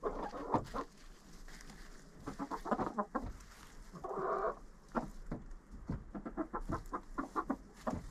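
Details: Inside a friend's chicken coop, a GoPro picks up a flock murmuring in short low clucks, broken near the middle by a drawn-out nasal squawk, with scattered knocks and shuffling throughout.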